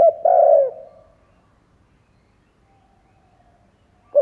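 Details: Spotted dove decoy cooing to provoke other doves: one soft, low, sustained coo that fades out, then a long silence and the start of another phrase.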